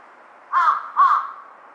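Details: Large-billed crow giving two drawn-out, harsh, throaty caws back to back, each slightly wavering and rough in tone.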